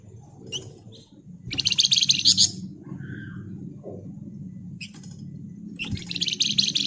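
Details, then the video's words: Pied fantail (flamboyan), a lively bird singing in ngebren style: dense, rapid, buzzy chattering bursts high in pitch, two long rattling runs separated by quieter chips and a soft low whistle, with faint background hum. "Burung Flamboyan Gacor Ngebren Rapat Nyerecet"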